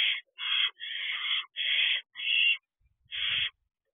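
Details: At an owl box at 8:34 pm in June, barn owl owlets on a perch give a burst of six loud, breathy screeches, some drawn out, then a pause and a final hiss with a low rustle.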